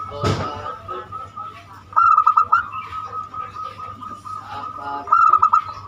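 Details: Banyumili song of a zebra dove, played to lure other birds into singing: a brief sharp click, then two bursts of fast pulsed cooing about three seconds apart, with a steady drone underneath.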